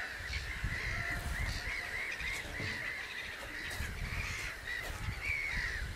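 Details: Steady chorus of common crane calls, a continuous band of overlapping bugling notes, over low rumbling wind-like noise.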